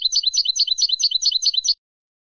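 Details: European goldfinch song played to teach young goldfinches and hybrids: a fast tinkling, twittering run of bright high notes repeated about eight times in under two seconds, clean with no other sounds.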